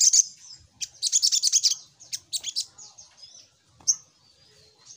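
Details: Little spiderhunter, named by its local name sogok ontong, in a lure recording. It gives a rapid string of piercing high chirps in a burst of about one second, then shorter clipped notes and a lone sharp note.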